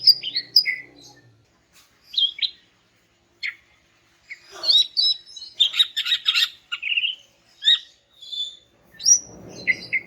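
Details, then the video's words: Greater green leafbird, a female calling males, gives scattered chirps and slurred whistles, then a dense burst of twittering notes mid-way, with soft low hum at the start and rustling near the end. "BURUNG CUCAK IJO JANTAN MACET BAKAL NYAUT GACOR DENGAR INI"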